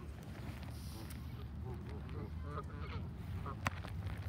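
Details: Canada geese in a flock during feeding give soft, scattered honks over a steady low background hum.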